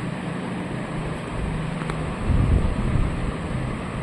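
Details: Loud low rumbling of wind buffeting the microphone, like passing traffic, swelling midway, with no clear animal calls.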